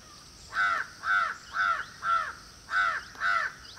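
An Indian peafowl gives six harsh, nasal honks, about two each second, with a faint background hiss.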